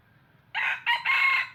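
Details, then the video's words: Red junglefowl decoy bird used in trapping, giving a brief crow: a harsh opening note, then a short clipped syllable running into a sustained strained ending, all loud against near silence. "Tiếng Gà Rừng Mồi Gáy Cực Hay"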